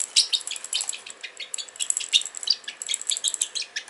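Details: Fluffy pet Pacific parrotlet indoors, playing with magnets and a medicine bottle; short, high, scratchy chirps and tweets in quick irregular bursts, mixed with light clicking.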